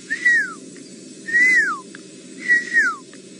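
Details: One of a pair of fork-tailed drongos mimicking a pearl-spotted owlet at sunset: three clear whistles, each swelling then sliding down, about one per second, over a low engine rumble, with a leopard nearby.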